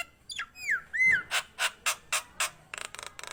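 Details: Nias hill myna giving a clear downslurred whistle and a ringing drawn-out note, then six evenly spaced harsh squawks about four per second, closing with quick rasping chatter.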